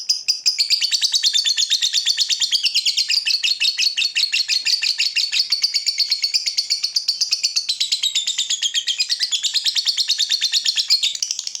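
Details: Long ngekek trill from a lovebird, recorded as a tutor for young lovebirds: nearly twelve seconds of continuous, very rapid, harsh rattling chatter, steady in rhythm with small shifts in pitch throughout.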